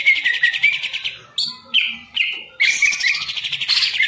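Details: Caged contest green leafbird alternating long, rapid buzzy trills with brief steady whistled notes and short pauses, the trills mixing in quick slurred whistles.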